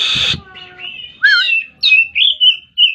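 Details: Oriental magpie-robin song after a brief loud harsh burst: wavering whistled notes and level, clear whistles near the end.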